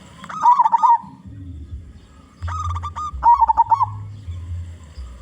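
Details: Local zebra dove with a powerful voice, used to lure other zebra doves: two rippling bursts of warbled coos about three seconds apart, separated by stepped hooting notes, with a low hum running throughout.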